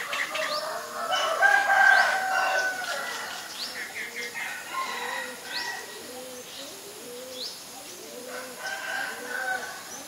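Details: Common myna recorded in Ubon Ratchathani, Thailand, on 7 May 2022 with a Nikon P1000: harsh, stacked chattering notes and short whistles in bursts. A dove coos steadily and low underneath throughout.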